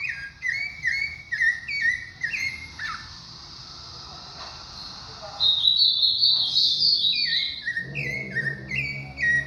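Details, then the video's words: Thrush (sabiá) delivering quick whistled phrases in a steady run, a pause with faint murmuring, then a higher drawn-out whistle and more short falling notes. "sabiá do Cícero."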